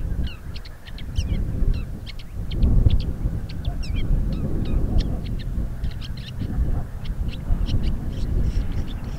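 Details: Woodchat shrike singing in Crimea, where it is a rare guest; a varied run of sharp high notes, quick chirps and short trills, some rising, delivered almost continuously above steady low wind noise.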